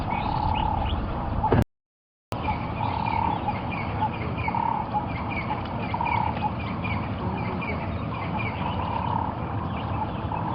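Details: A Ring-necked Dove at sunrise on 31 October 2015, heard during a safari drive, gives low cooing phrases repeated every two seconds or so. Other birds chirp higher over a steady low rumble.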